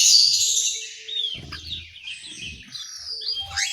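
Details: In an aviary in Malang, East Java, an orange-headed thrush gives a high, dense warble at the start, then thinner slurred whistles over low rumbling and thudding noises.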